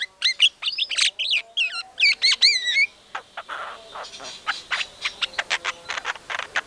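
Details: A white-rumped shama, singing hard as a lure recording meant to provoke other shamas: first clear, looping whistled phrases rising and falling, then a stretch of dry clicks and short chattering notes.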